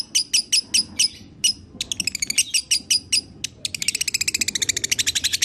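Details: Lovebird chirping meant to prompt a pet lovebird to sing again: loud high chirps at first, then faster rising and falling notes, ending in a dense rapid twittering trill.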